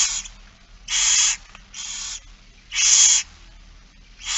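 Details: Begging barn owl during feeding, 8 September 2019, 16:02. Short, harsh, breathy hisses repeat roughly once a second, some louder than others, with quiet gaps between them.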